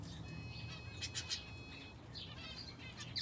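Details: Aviary finches, housed with a canary, give sharp high chirps over a thin steady tone, then a quick warbled trill after the second mark, with a low background hum.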